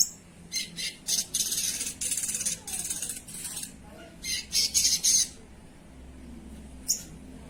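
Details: Sogon singing actively, with harsh, buzzy high bursts in rapid irregular runs, a pause, then another dense cluster and one late isolated note.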